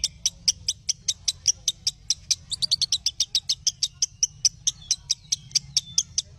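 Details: Lovebird training song for other lovebirds: shrill high chirps repeated steadily, speeding into a quick flurry midway before settling back, with faint low hum.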